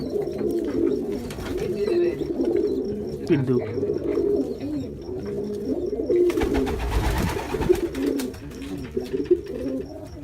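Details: Jacobin pigeons coo in low, rolling phrases throughout, with a burst of broadband rustling or flapping noise midway before the murmuring coos continue.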